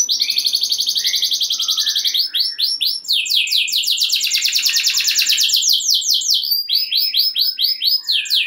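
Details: Canary singing fast rolling trills to excite other canaries into song: rapid repeated descending notes around 4–8k-range, shifting between trill types, with brief lower chirps; bright, continuous, high-pitched delivery.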